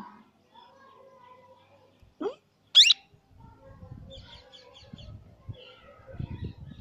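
A plum-headed parakeet gives two brief, sharp notes: a lower squawk, then a shrill rising squeak, with faint indoor murmurs and soft chatter around them.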